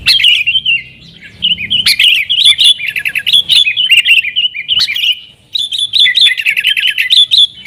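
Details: Bulbul lure recording: a yellow-vented bulbul in 'nggaruda' style song to call wild sooty-headed bulbuls, phrases of bright chattering warbles with brief pauses near one and five seconds.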